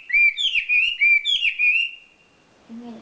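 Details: Wambi bird, a champion, sings a fast string of bright rolling warbles for about two seconds before falling silent, followed by a faint low tone.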